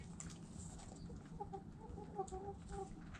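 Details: Chickens in a group, hens uttering a run of brief clipped clucks, several in quick succession in the second half, against low background rumble and faint clicks.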